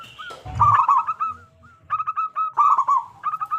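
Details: A local zebra dove with a large voice, sung often and played as a lure to get other zebra doves singing: rapid clipped cooing notes broken by rolling, burry trills, in bursts with short pauses.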